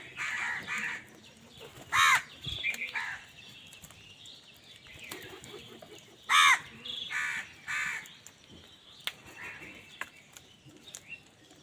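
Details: Crows fighting with wild birds over food, angry: loud harsh caws in two bursts about four seconds apart, with shorter rasping calls of other birds in between and wingbeats.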